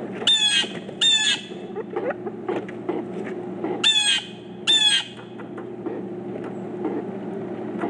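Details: Four pileated woodpeckers; four short bursts of rapid, harsh, stuttering notes, in two pairs about three seconds apart, each burst under half a second, over a steady low background rumble.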